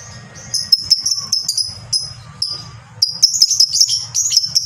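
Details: Lovebird, a kept fighter bird, giving its prized long ngekek chatter: bursts of shrill, high, rapidly repeated notes with short pauses between them, over a steady low hum.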